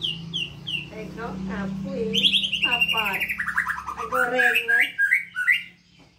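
White-rumped shama pours out rich, varied song: a few clear downslurred whistles, then fast rattling trills and bright chattering phrases, over a low steady hum.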